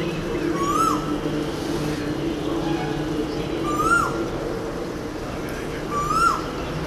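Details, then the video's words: Cuckoo singing: three clear rising whistled notes, each sweeping upward and ending abruptly, repeated roughly every two and a half seconds over a steady low droning hum of engine or traffic noise. "Cockoo Song"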